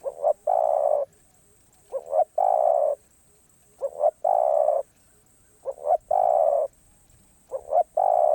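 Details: A spotted dove repeats its 'karom pa roi' song, said to be off cue. Five even phrases of two brief notes and a drawn-out coo come roughly every 1.9 seconds against a quiet background.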